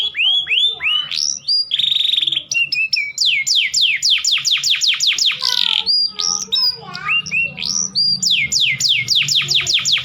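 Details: Mating-call song of a domestic canary, played to make males eager to breed: a long varied outpouring of curved whistles, a dense buzzy burst, and repeated sharp downsweeps in fast rhythmic tours.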